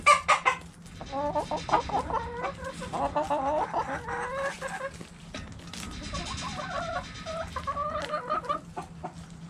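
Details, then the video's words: Backyard chickens pecking at a hanging cabbage, hens giving runs of short harmonic clucks in quick clusters, some louder notes at the start, steady low hum behind. "Chicken Sounds Noises Hens Clucking Roosters Crowing!"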